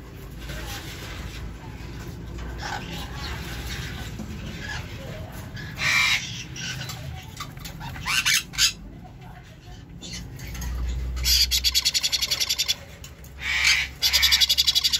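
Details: Young sun conure squawking in a series of harsh, raspy bursts, sparse at first and then coming in quick clusters near the end, with low background rumble and faint voices.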